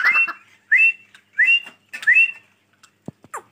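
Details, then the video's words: Grey francolin, locally called teetar, giving four clear whistled notes that sweep upward and then level off, repeated about every two-thirds of a second, followed by a few faint clicks and brief knocks. "Teetar Francolin Voice | Gray dakhni Teetar Ki Awaz | Dakhni tetur ki Awaj"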